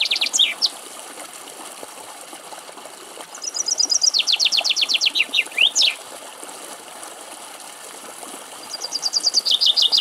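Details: A male common chaffinch in Greek countryside, feeding on seeds at a bird feeder, sings its bright, descending rattle that speeds up and ends in a flourish, repeated about every five seconds over a faint hiss.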